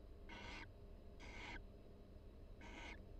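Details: Two barn owls inside a University of Florida nest box trade soft calls as pair-bonding during breeding season; three brief breathy, rasping notes about a second apart, with a constant low hum behind.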